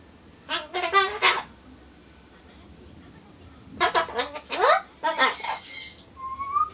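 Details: Pet Ducorps's cockatoo (Solomons corella) happily chattering, repeating greetings and phrases such as hello and want a bath while waiting for pumpkin: a cluster of speech-like syllables, a quiet pause, then more rapid talking ending in two thin rising whistles.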